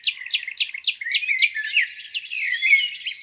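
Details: Spring morning lakeside birdsong: a series of clear descending notes repeated about four times a second, then a tangle of softer warbles and whistles from several birds.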